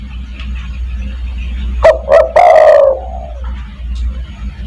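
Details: Spotted dove giving a call meant to draw other doves: a single loud phrase midway, two short hoots and a long coo trailing lower, over a quiet hum.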